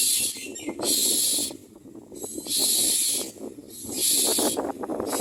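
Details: Common myna at its nest feeding chicks: loud, harsh, breathy hissing bursts, each lasting about a second, repeated roughly every one and a half to two seconds, with a low rumbling background between them.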